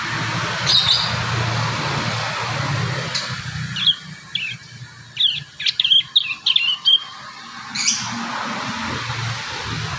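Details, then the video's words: Young prinias, natural recording of juvenile birds assembling their song and learning to sound: a burst of short high chirps and twittering notes in the middle, over steady low background rumble. "MASTERAN PRENJAK PAUD ALAMI"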